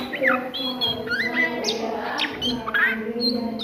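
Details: Oriental magpie-robin song at midday: sliding whistles, a rising phrase and short sharp notes, delivered in quick succession over a low continuous hum.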